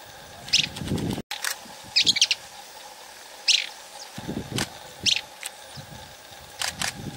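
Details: At Armação dos Búzios, Rio de Janeiro, Brazil, a tawny-crowned pygmy tyrant gives short, high, chattering bursts roughly every one and a half seconds, with some thumps and faint background hiss.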